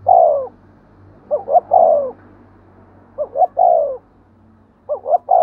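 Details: Spotted dove 'thúc gù' cooing, a call used to excite decoy birds. A long falling coo opens, followed by repeated phrases of two short notes and a drawn coo, the last phrase cut off.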